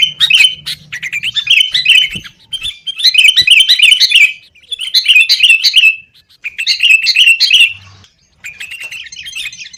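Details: Lure recording of noisy, fighting sooty-headed bulbuls for caged birds; five loud bursts of rapid, bubbling chirps, each about one to two seconds long, separated by short silences.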